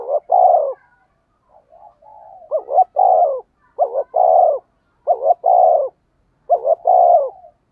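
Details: Spotted dove giving its thúc gù coo, used to draw in wild doves: a faint opening then five low, mellow two-part phrases, a short quavering note and a drawn-out hollow coo, coming roughly every second and a half.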